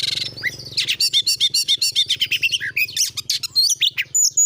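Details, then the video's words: Lure song of an oriental magpie-robin meant to stir rival magpie-robins to sing: fast bursts of bright chips and buzzy trilled notes, some slurred whistles, over a low steady hum in the background. "pancingan burung Kacer gacor nembak ini"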